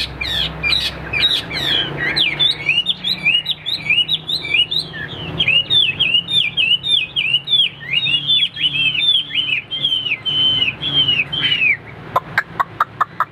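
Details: Hwamei singing during a tail-spreading contest display: a long stream of fast, loud, repeated whistled slurs, fairly regular, ending with a few sharp clicks.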